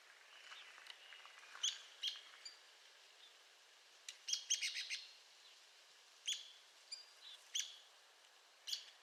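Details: Fainter Arizona woodpecker calling: scattered sharp high notes and a short cluster of rapid notes, with a soft lower whistle early on and a steady background hiss.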